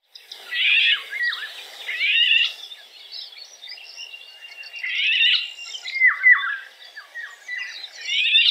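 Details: Eurasian golden oriole (Oriolus oriolus) singing: bursts of fluty, warbled phrases with quick downward-swooping whistles, a long phrase early on, then shorter ones about every second or two after a quieter gap.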